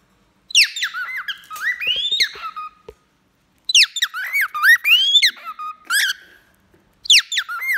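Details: Cockatiels, a male and a female, sing during a bath, giving repeated runs of bright warbled whistles with upward sweeping and dipping notes, each phrase ending in a level tone, three phrases in under eight seconds.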